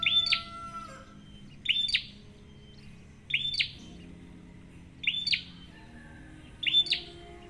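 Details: Prenjak used as a lure for other birds: loud, sharp chirps at a high pitch, each with a sweeping down-slurred tail, repeated about every one and a half seconds, with a soft hum beneath.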